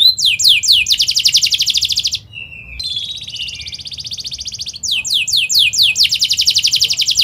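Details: Canary in full rolling song, meant as a tutor for young birds learning to sing: swept chirps flowing into a rapid high trill, a brief soft low note, a long even buzzy roll, then more sweeping chirps and a fast trill.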